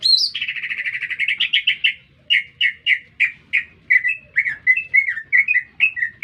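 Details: Lively green leafbird song heard in a city: a dense buzzy trill opens, followed by separate rasping notes and then rapid whistled chirps in a steady rhythm, over faint background hum.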